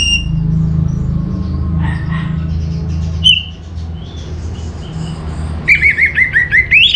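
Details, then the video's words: Orange-headed thrush (anis merah) song: after scattered faint high notes, a rapid run of loud wavering whistles rises and falls about six times in quick succession near the end, over low background hum. "Suara ANIS MERAH Cepat Gacor"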